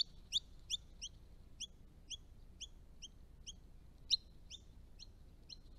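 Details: Wild resident Eastern Rosella on a rural Australian property with ponds and dams, giving a quiet series of short high chirps, about two per second, over a soft background hiss.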